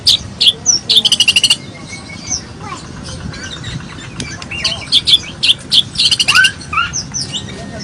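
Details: White-rumped shama song, described as full of varied filler phrases: scattered high whistled notes, a rapid buzzy trill of about ten pulses near the start, then more sharp rising and falling whistles.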